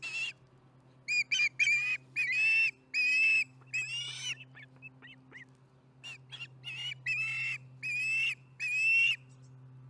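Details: Nest-cam osprey at Charlo chattering during dinner, July 15, 2019, late afternoon MDT: rapid runs of clear whistled chirps, some brief and clipped, others drawn out and ringing, with a constant low hum behind.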